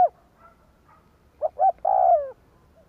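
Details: Spotted dove decoy calling to attract wild doves; a brief coo, then a quick pair of rounded notes leading into a long, slowly falling coo.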